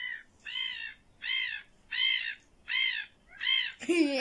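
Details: Common gull call played back at a bird sound listening station in Seinäjoki city library, Finland: harsh, nasal, drawn-out calls repeated about six times at even intervals, with a person's voice breaking in at the end.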